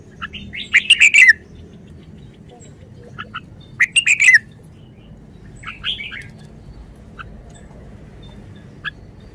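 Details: A caged red-whiskered bulbul kept as a decoy bird, singing short phrases, gives bright, bubbling bursts: two loud ones about three seconds apart with softer chirps between and a low background hum.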